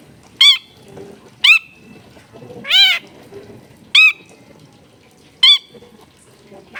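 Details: Long-tailed shrike in full singing form: loud, clear, nasal downslurred notes with rich harmonics, given singly about every one to one and a half seconds, one longer wavering note in the middle, over a quiet background.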